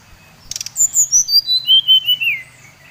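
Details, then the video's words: Brown-chested jungle flycatcher from Bali, sung to excite rival birds: rapid clicks, then about ten bright whistles sliding steadily down the scale and ending on lower drawn-out notes. "Suara SRDC Bali Paling di sukai srdc lain | Pancingan Srdc bikin srdc lain naik emosi"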